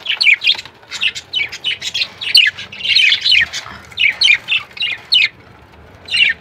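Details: A breeding pair of show budgerigars chatter in quick, scratchy, high chirps and squawks, bursts tumbling over one another.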